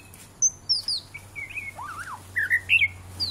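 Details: Pet white-rumped shama playing with its owner indoors: a varied run of clear whistled phrases, some sliding down, some rising, with one lower wavering note in the middle and sharp high notes at the end, over a faint low hum.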